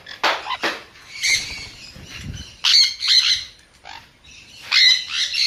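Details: Sun conure giving harsh, grating squawks in irregular bursts, some short and clipped, others drawn out and raspy, with short gaps of quiet between them.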